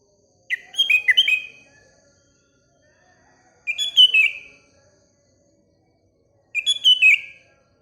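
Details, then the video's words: Sooty-headed bulbul singing in the morning: three short, bubbly whistled phrases with quick rising and falling notes, each about a second long and spaced roughly three seconds apart, with a faint low hum underneath. "Paduan Kutilang Dan Burung Sekelilingya (Bikin Gacor Bersaing)"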